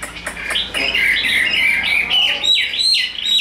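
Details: Chinese hwamei offered as a tame, big-bodied fighting bird; short burst of warbled whistles climbing into looping rising-falling notes, preceded by a few sharp clicks.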